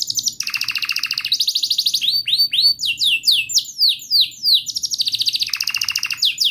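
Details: Canary in rolling song, used to teach young canaries and prompt silent ones: a fast buzzy trill, a run of loud downward-swept whistles, then another long trill.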